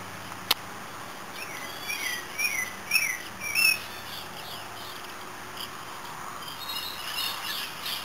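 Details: Pileated finch singing: a few short, sharp, slurred chirps in a loose burst of about two seconds over steady background hiss, with a click early on.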